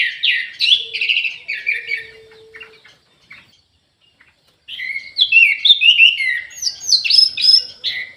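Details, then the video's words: Aviary-kept orange-headed thrush in full, lively song: rapid runs of varied, warbling whistled notes, a pause of nearly two seconds, then a long, dense stretch of jumbled, sweet phrases. A faint low steady tone is audible early on. "ANIS MERAH GACOR"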